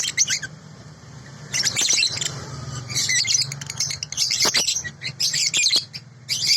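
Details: Sooty-headed bulbul, from a clean original tutor recording: bursts of high, twittering chatter separated by quieter gaps, with a soft low rumble in the background.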